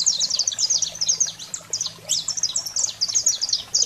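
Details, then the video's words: A saffron finch pours out high, clipped chirps and quick downslurred notes in packed phrases, the 'fogo selvagem' song played to fire up pet canaries, a quiet low hum beneath. "Canário-da-terra Fogo Selvagem para Estimular a Fibra e Foguear seu Canário em Minutos"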